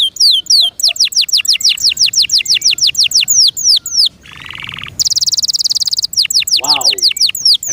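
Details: A pet canary repeats quick downward-slurred whistled notes about three times a second, breaks into a hoarse broadband rattle, then a bright high trill and more slurred notes, with a brief human exclamation.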